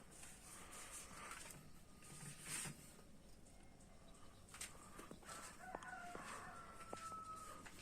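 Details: A rooster crowing in the morning, loud like an alarm waking sleepers, gives a drawn-out, hoarse crow in the second half, over steady background hiss and a few scattered knocks.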